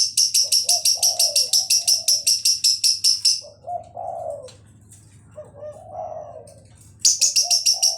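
A spotted dove gives soft, low, slurred coos in three short phrases. Over them a lovebird's shrill, rapid chatter pulses about three times a second, with a faint hum beneath.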